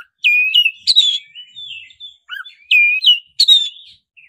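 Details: Black-breasted magpie-robin sings a fast roll nembak sequence meant to provoke another magpie-robin into song. It mixes piercing whistles, twangy slurred notes and a harsh burst, delivered in quick succession.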